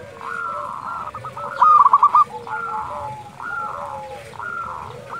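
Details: Local zebra dove at dusk giving one sharp, fast, purring run of stuttered coos, set against a steady chorus of softer, drawn-out cooing from several other doves.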